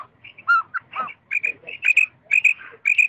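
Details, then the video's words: A female quail gives quick, high, whistled notes, often in pairs, repeated about twice a second, after lower, softer notes; recorded for quail hunting lures. "female quail voice_ بٹیری کی آوا ز"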